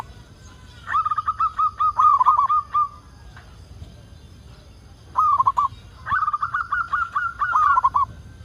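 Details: Local zebra dove giving repeated cooing phrases, meant as a lure to set other doves singing; soft rolling trilled notes in runs of one to two seconds, separated by brief silences, steady low hum beneath.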